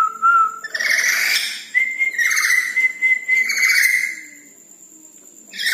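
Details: Red-breasted parakeet singing actively at night: a short clear whistle, then harsh, noisy bursts layered over a steady whistled tone, followed by a longer, level whistle that breaks into rasping notes and fades to quiet.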